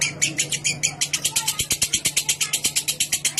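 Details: Lovebird's clear ngekek song, played as a prompt for other lovebirds: brisk rasping pulses, a few spaced at first, then a fast unbroken run of about six notes each second.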